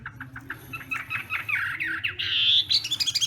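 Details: Chinese hwamei singing in the morning as voice practice: a run of short clipped notes that quickens into slurred whistles and a bright, rising buzzy phrase, ending in rapid stuttered notes.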